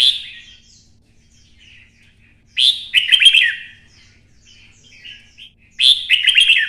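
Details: Red-whiskered bulbul in 'xoắn' voice style, stimulated to sing for fighting: two loud bursts of quick warbling chirps about three seconds apart, with soft quiet twitters between them.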